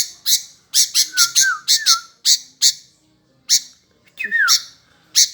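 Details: Kutilang or sooty-headed bulbul singing gacor style: loud harsh high chips in quick runs, a few short whistled slurs between them, then a falling whistle near the end.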